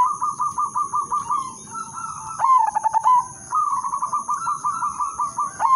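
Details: Zebra dove singing a melodious lure song: long runs of even, rapidly repeated soft coo pulses surround one loud, bubbling stuttered phrase, beneath a continuous high electronic tone.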